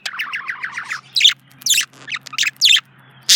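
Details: Male budgerigar kept as a pet, chirping. A quick run of about ten short warbled notes is followed by loud, scratchy, high chirps spaced irregularly. A faint low hum runs underneath.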